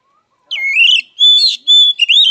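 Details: Fighting song of an oriental magpie-robin (kacer), used as emotional therapy for other kacer. Loud, continuous high whistles rise and slide, broken by brief pauses, with rich overtones and sharp chirped accents.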